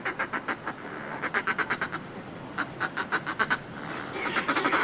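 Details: Close-up cackling from groups of Northern fulmars displaying on cliff ledges: bursts of fast, guttural pulses in several separate runs, with the sea washing constantly in the background.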